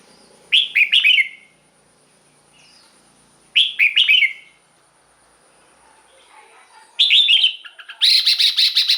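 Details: Red-whiskered bulbul song played to excite caged birds: bright, bubbling whistled phrases of three or four quick notes, repeated about every three seconds, the last phrases louder and more rapid.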